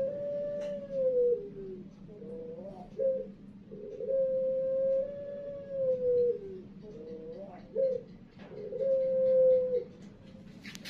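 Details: Pelung turtle dove from a competition bloodline kept by Central Java breeders, singing a prized rhythm: three long sustained coos each sliding down at the end, linked by short hiccup-like notes, with a constant background hum.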